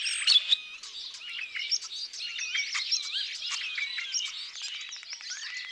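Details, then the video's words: Common starling song, a rapid jumble of wheezy squeaks, clicks and short looping whistles running on without a break, with a few louder sharp notes near the start. "Vogelzang - Spreeuw"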